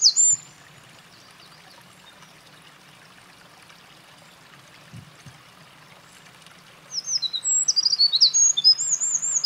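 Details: Eurasian wren at a mountain pass on 28 April 2024, a bird that had been carrying nest material: a brief high note at the start, several quiet seconds with faint background, then a rapid, shrill run of trills and sweeping whistles.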